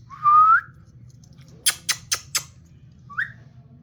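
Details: A captive pet grey parrot in an aviary in India gives a clear rising whistle, then four quick dry clicking bursts and a short upslurred whistle, over a low background hum.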